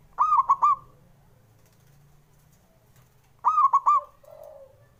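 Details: Local male zebra dove (perkutut) call used to stir lazy birds into singing: two brisk phrases of three or four staccato coos, the second trailing into a softer note, with a low background hum.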